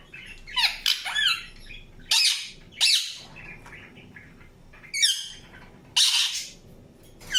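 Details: Indian ringneck parakeet uttering separated harsh squawks and sweeping whistled chirps, some curving downward, spaced by short quiet gaps over a faint low background hum.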